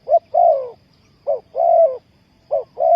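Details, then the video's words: Dove used to lure wild doves for trapping, calling: a short hoarse coo followed by a longer falling coo, the pair repeated three times about every 1.2 seconds. "Sound Of dove"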